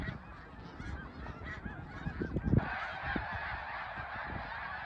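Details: Snow geese at Middle Creek in 2022 keep up a massed honking, partly masked after mid-clip by a steady broad hiss, with a few low thumps underneath.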